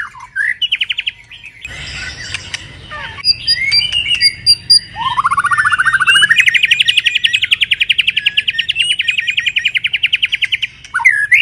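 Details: Shama in moult: a few short notes and scattered chips, then a long, loud, rapid trill of evenly pulsed notes that rises and is held for about five seconds, sung in the 'kéo thuốc lào' manner.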